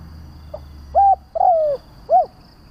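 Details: Lure call of a spotted dove meant to draw other doves: one complete phrase of a quiet note, flat coo, drawn-out falling coo and short rounded coo; light background rumble.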